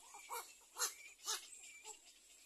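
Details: Nestling little egrets waiting in the nest for food give three or four loud, harsh, croaking squawks, rough and broadband, with short gaps between them.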